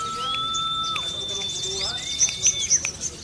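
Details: A Sunda leafbird, trained for song contests with ciblek (prinia) material, sings long, steady, pure whistles, one high and one low, broken by quick sweeping chirps and sharp high notes that copy a prinia's calls.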